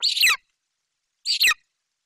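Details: Eaglet of golden eagle in Bucovina, July 2021, vocalizing loudly as its mother brings a magpie; two rough, shrill, down-slurred screeches a little over a second apart, with silence between.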